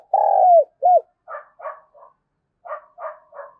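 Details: Spotted dove lure call in the gọi mồi and thúc bổi style. A loud long falling coo and a short arched note open the phrase. These are followed by several rougher, softer, bark-like notes in two groups.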